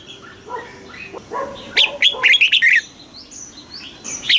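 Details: Caged red-whiskered bulbul singing a southern master-style phrase, used to stimulate other caged bulbuls. Soft low notes lead into a loud run of rapid, warbling whistles in the middle, then scattered thin high chirps.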